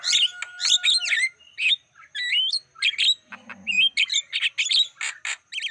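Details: Black-winged starling lure recording used to attract wild birds: a busy run of harsh squawks, chattering notes and sharp upslurred whistles, closing with a quick series of clipped high notes.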